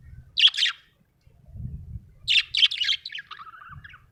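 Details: Budgie in a happy mood chirping: a quick double chirp, a pause, then a tumbling string of bright chirps trailing into lower warbled notes, with soft low bumps between.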